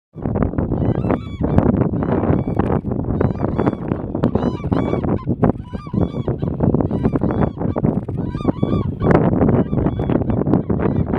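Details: Black-necked cranes in Ladakh, India give loud, ringing trumpeted honks, several birds overlapping in a near-continuous chorus, over a steady low rumble of wind.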